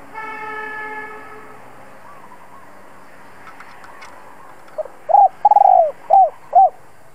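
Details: Spotted dove lure call following a steady harmonic tone: after a quiet stretch, a short note, a trilled long falling coo and two rounded coos.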